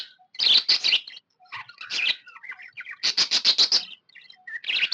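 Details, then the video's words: Pet budgerigar, described as happy, alternating grouped harsh buzzy chirps with softer squeaky, twittering notes, in bursts of three to six calls separated by short gaps. "Happy budgie chirping sound"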